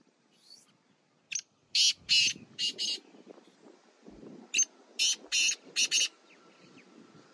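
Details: Sheedi Chinga cross black francolin calling in village surroundings: two phrases of rasping, broadband notes in a jerky rhythm, each of about four or five notes, over low rural background noise.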